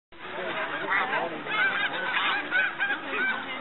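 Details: A dense chorus of snow geese feeding and resting on a hillside at Middle Creek, Pennsylvania, during spring migration: many overlapping nasal, high-pitched honks and yelps, with a steady roar from the large flock throughout.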